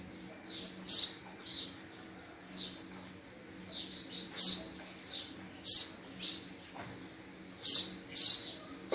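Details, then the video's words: Loose series of high, clipped chirps from a male house sparrow, sometimes doubled, separated by pauses of up to a second, over a low steady hum. "Male Sparrow Sound | Male Sparrow Call | Sparrow Sound Effect | Call Of Male House Sparrow"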